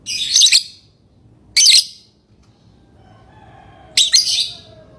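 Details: Chirping from a lovebird, three rasping high bursts spaced more than a second apart, with a faint low tone sounding between the later notes.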